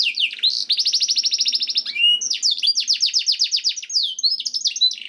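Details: Canary song for stimulating canaries to sing: rapid high trills broken by a short buzzy note around two seconds, then further rolling series of swept whistles.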